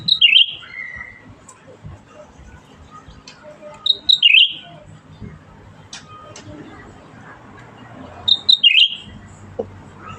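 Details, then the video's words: Actively singing bulbul giving a high whistled phrase that drops then warbles, repeated three times roughly every four seconds, over faint clicks and a low steady hum. "Burung Cucak Ranting Gacor"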